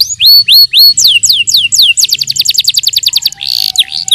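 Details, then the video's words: Yellow canary training song opening with widely spaced looping whistles, then speeding into a rapid trill of falling notes, ending in a buzzy burst and curved whistles over a faint low hum. "The best CANARY Singing- Training song for yellow canary"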